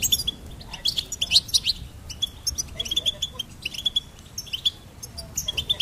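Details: Goldfinch song as a fast, continuous stream of bright twittering chirps and short trills, delivered in irregular bursts throughout, over a faint low background hum.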